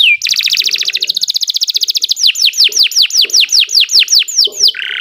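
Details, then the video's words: Nusantara canary in long song: a falling whistle, a rapid rattling trill of many even pulses, then a series of about a dozen sharply descending whistled slurs, about three per second, ending on a buzzy note. "Kicau Burung Kenari 102 II GACOR PANJANG"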